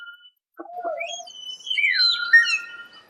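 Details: Common hill myna giving a varied run of clear whistles: a short low tone, a few broken mid notes, then loud gliding and slurred whistles that rise and fall, closing with softer notes.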